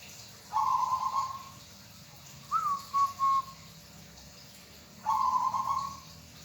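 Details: Soft song of a local zebra dove favoured by bird hobbyists: a long trilled coo, an upward-sliding note with two clipped coos, and another long rolling coo, evenly paced over a faint hiss.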